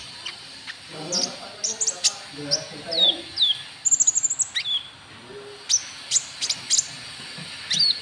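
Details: White-cheeked bulbul call meant to provoke rivals: clipped high chirps and downslurred whistles, a fast stuttering burst near the middle, with soft lower warbling notes early on.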